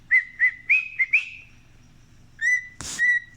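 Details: Pet male cockatiel whistling his favourite song, Another One Bites the Dust: five quick clear whistled notes, the later ones rising slightly, a pause, then two more level whistles around a sharp clap-like click.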